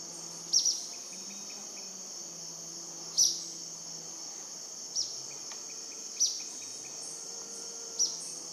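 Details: Purplish jacamar calling at 10am, 5 February 2014, near Shaime in Ecuador's Cordillera del Condor: five short, piercing high notes spaced one to three seconds apart against continuous loud insect buzzing.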